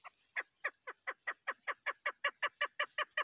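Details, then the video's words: Calling female chukar partridge, a hunter's bird: a quickening series of rough, downward-sliding clucks, starting spaced and then settling into a regular run of about three notes per second, with faint hiss in the background. "female hunter bird voice kekkik sesi sound hunting sound chakor birds"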